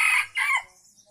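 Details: Junglefowl of Aceh giving a lure crow: a quick, hoarse two-part call, a loud rasping first note then a shorter downward-sliding second, fading into faint background noise.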